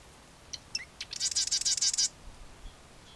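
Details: Marsh wren singing at Johnson Log Pond, Coos County, Oregon, on 2 April 2020: a few sharp ticking introductory notes, then a fast, high, buzzy rattling trill lasting about a second; quiet background otherwise.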